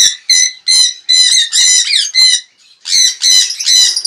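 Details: Jenday conures calling in an aviary in the morning, loud, harsh, grating screeches, about nine in four seconds, in uneven bursts with a brief pause midway.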